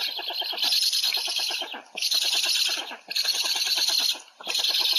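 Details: Afternoon feeding of a Black stork in Łódź, 20 July 2020: loud, breathy, rasping bursts about a second long, split by short pauses, each with a rapid stuttering rattle underneath.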